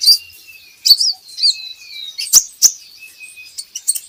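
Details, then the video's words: Van Hasselt's sunbird twittering high and thin, with a faint steady whistled tone underneath, played to encourage kept birds to sing; two sharp clicks. "PANCINGAN KOLIBRI NINJA Bahan Agar Bunyi"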